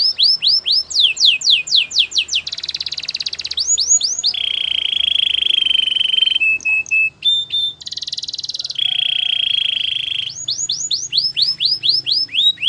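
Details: Canary; training song; training and encouraging other canaries to sing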